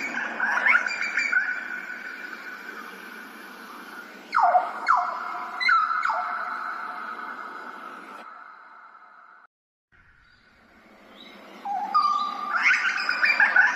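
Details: Grey butcherbird (Cracticus torquatus), song.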